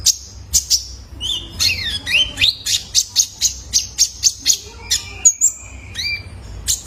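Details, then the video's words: Juvenile male ruby-cheeked sunbird from captivity, played to coax caged birds into song: thin, very high chips in a fast regular run, mixed with downslurred whistles and a long level note near the end. "PANCINGAN KONIN BAHAN IKUT GACOR !! COCOK BUAT TERAPI KOLIBRI NINJA - SUARA ANAKAN JANTAN!!"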